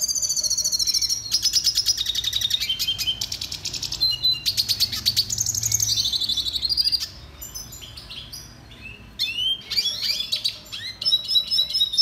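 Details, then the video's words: Red siskin training song: extended fast trills and buzzy twittering phrases that shift in pitch, running continuously for seven seconds, a short break, then more chattering high notes. "Canto Pintassilgo venezuelano - Red Siskin The BEST Song Training"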